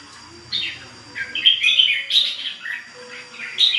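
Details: A ché bird sings without stopping: after a short quiet start come rapid, jumbled high whistles, chirps and trills, rising and falling in quick succession and grouped into loud bursts, with a soft low hum beneath.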